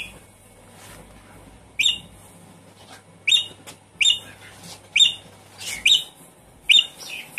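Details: Caged Javan pied starling (jalak suren) sounds meant to coax a stressed, silent bird into singing: sharp chirps with a squawking edge, repeated roughly once a second, over a faint steady hum.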